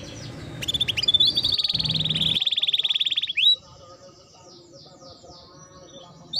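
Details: Canary song played as a lure to get canaries singing: a sustained rapid rattling trill around a steady pitch with low background rumble, then softer faint chirps and short descending notes.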